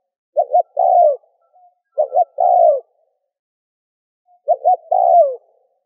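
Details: Spotted dove used as a lure for doves: three loud coo phrases, each a double note followed by a sustained downward-slurred coo, with a longer gap before the last one.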